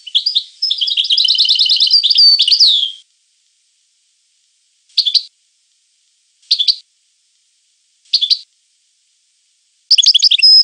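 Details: A European goldfinch sings a long, fast, rolling twitter of high metallic notes for about three seconds, then gives four short chirpy phrases spaced a second or two apart, ending in another twittering burst.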